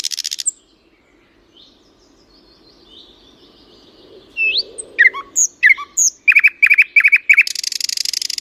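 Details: Birdsong with flowers: a brief buzzy burst, a long quiet stretch with faint thin notes, then loud sharp upslurred whistles and a run of quick repeated chirps, ending in a dense buzzy trill.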